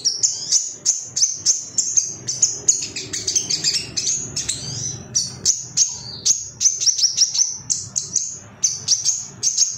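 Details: Rival-seeking male ruby-cheeked sunbird, used as therapy material so caged birds sing quickly: rapid, evenly spaced shrill chips mixed with squeaky twittered phrases, very high and continuous for about ten seconds.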